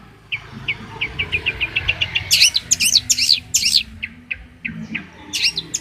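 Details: Long-tailed shrike, a prized champion bird kept for training other songbirds: a fast series of short clipped notes around mid-high pitch, then louder harsh scratchy bursts reaching very high, repeated rapidly with brief pauses; low background hum.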